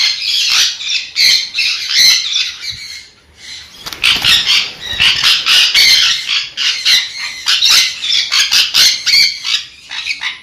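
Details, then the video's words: Sun conure screeching in a rapid series of harsh, buzzy squawks, about three or four per second, broken by a short lull in the middle. "เสียงนกแก้วซันคอร์นัว Conure Sounds"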